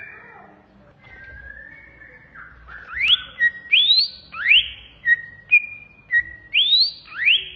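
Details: Masteran song of a greater green leafbird (cucak ijo), a bird kept by hobbyists. Soft low whistles at first, then loud, sharply rising whistled sweeps alternating with short level notes, roughly every half second.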